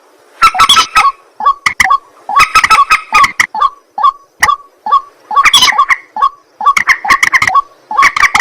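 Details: Harsh croaking of a white-breasted waterhen at night, grouped into repeated clusters of gruff nasal notes with short gaps, growing denser toward the end.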